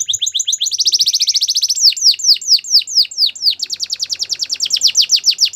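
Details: A yellow canary sings in the morning: rapid rolling trills of short notes shifting into slower loud descending swoops, then a quick steady chatter to the end.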